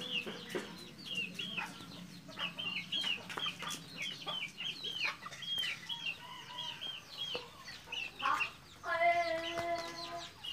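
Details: Captive-bred red junglefowl in Mukomuko, Bengkulu, give busy high chirps and soft clucks throughout, then a brief harsh, harmonic crow-like call near the end; several birds seem to call at once.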